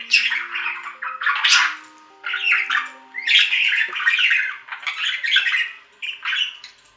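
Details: Budgerigars kept indoors chattering in repeated bursts of buzzy, scratchy warbles and sharp squawks, about one burst per second, over a faint low hum and thin steady tones.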